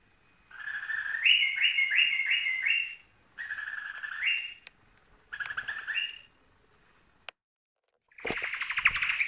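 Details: White-eared bulbul singing: three phrases of quick, bubbly repeated notes, each phrase stepping upward in pitch, separated by short pauses, then a final louder chattering burst mixed with a low thump near the end.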